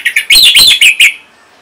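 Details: Orange-headed thrush, a kept songbird from North Bali, Singaraja, Indonesia, whose song is played to prompt other birds to sing: a loud burst of rich, warbled, slurred phrases in quick succession, ending abruptly.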